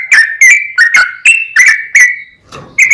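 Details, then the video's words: Yellow-vented bulbul singing a vigorous 'ropel panjang' song, used to provoke rival bulbuls; a quick series of loud gurgling whistled notes, a short gap with faint rustling, then another note. "SUARA trucukan gacor ROPEL PANJANG pancingan trucukan agar bunyi"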